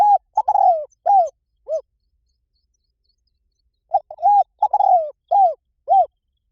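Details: Spotted dove coos used as a lure recording to draw wild doves in: two phrases of low, hollow coos. Each opens with short clipped notes, swells into a long falling coo and ends with arched notes, with two seconds of silence between.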